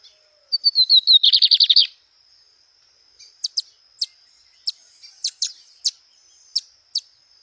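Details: Lined seedeater singing in the wild: a few high descending notes that speed into a dense buzzy trill, followed by scattered sharp chips over a thin, steady high whine.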